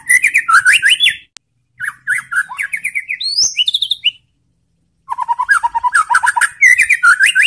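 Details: Bait song of a white-rumped shama, played to make rival shamas answer aggressively: bursts of rich, varied whistled trills separated by short silences, mixing low warbles with high sweeping notes.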